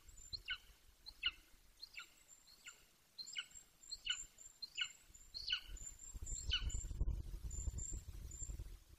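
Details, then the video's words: Near the nest in Bucovina, an 18-week-old young male Golden Eagle repeats about ten sharp, descending yelps less than a second apart; rising wind noise covers the final seconds. "Bucovina Golden Eagles ~ We Hear You Zenit!! Lots Of Vocals Close To The Nest!"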